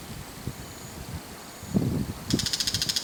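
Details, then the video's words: Bull-headed shrikes, a pair on an antenna with food held in their beaks, give everyday calls. Low rustling and knocks come first, then a quick run of harsh, chattering high notes begins near the end. "モズの鳴き声（地鳴き） Bull-headed shrike"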